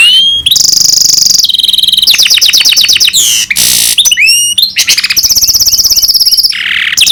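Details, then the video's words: Loud, continuous song from a goldfinch × canary hybrid, with rapid rolling trills, long steady whistled notes, upward-sweeping chirps and buzzy bursts in quick succession. "Гибрид щегла с канарейкой/ سایره کنری/ hybrid of goldfinch and canary"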